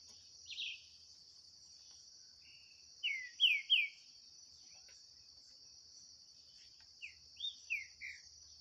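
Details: Green-winged saltator, 2023 song duel of a kept bird against one free in the bush: a phrase of three strong descending whistles, then after a pause a softer run of four falling notes, with an insect hum throughout.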